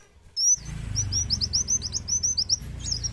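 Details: Sunbird singing energetically: a rapid run of high, thin, sharply slurred chirps repeated about every tenth of a second for two seconds, opening and closing with brighter up-swept notes, over a steady low hum.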